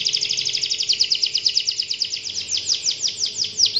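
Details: Canary lure song for prompting other canaries into song: a continuous rapid rolling trill of high repeated notes, pulsing steadily and slightly slowing, over faint background noise.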